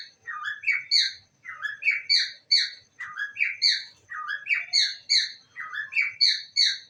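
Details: Indoor pet parrot repeating "I love you" again and again: high, bright, slightly buzzy three-syllable phrases, each about a second long, following one another without pause for seven seconds, with nothing else audible.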